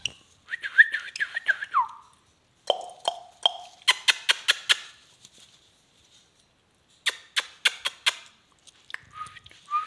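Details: Parrot giving bending whistled warbles, then a falling tone, mixed with bursts of sharp dry clicks and ticks. Quiet gaps separate the phrases.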